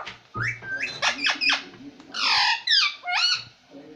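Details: Pet parrot talking indoors and trying to say "papa": a string of harsh, squawky, voice-like syllables, then a loud rasping burst and a few falling squeaks in a small room.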